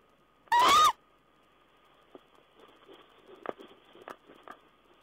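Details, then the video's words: Owl on 14 April 2010: one harsh, hoarse call, slightly rising, is followed by several seconds of soft clicks, taps and rustling, with a faint steady whine throughout. "Owl's talk"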